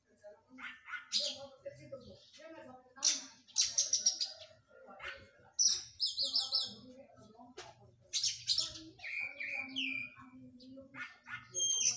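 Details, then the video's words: Oriental magpie-robin exercising after moulting. Varied, fast song of scattered sharp chips, buzzy trills and looping whistled figures comes in short bursts. Quieter notes and faint background noise fill the gaps between phrases. "KACER PRO HYPER LATIHAN FISIK PASKA MABUNG"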